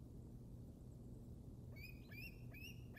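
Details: Young bald eagle at the Decorah North Nest in Iowa, 7 February 2021: after steady low wind rumble, a short run of thin, high piping chirps begins in the second half.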